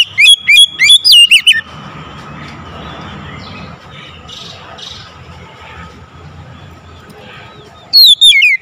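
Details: Oriental magpie-robin giving loud, ringing calls: a burst of fast zigzagging whistles opens, followed by several seconds of soft background hiss, then another sharp, looping whistled phrase closes.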